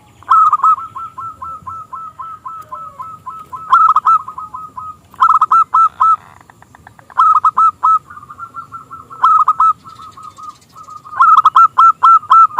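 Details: Local zebra dove, a prolific singer with a small crystal voice, used as a lure to start rival doves singing: long runs of rapid, bright coos broken by repeated loud rolling phrases.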